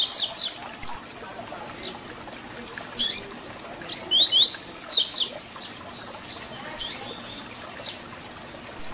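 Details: Double-collared seedeater in fibra-style Tui Tui Zel Zel song for training young birds. Short high chips are followed by a loud burst of rising buzzy whistles, then a string of quick downslurred notes.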